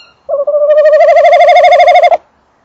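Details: Male tawny owl by and inside the nest box, female also heard: a single long, steady, quavering trill of about two seconds, evenly pulsed throughout, ending abruptly.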